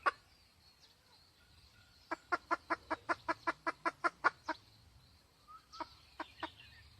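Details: Hen red junglefowl giving about a dozen sharp, evenly spaced clucks in a quick run, followed by a few scattered softer clucks in a quiet setting.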